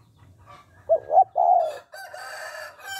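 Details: Spotted dove call in the 'hạp bổi' style meant to spur males into quick calling: a pair of brief coos then one drawn-out, sliding coo, followed by a loud, harmonic, rooster-like sound from another source.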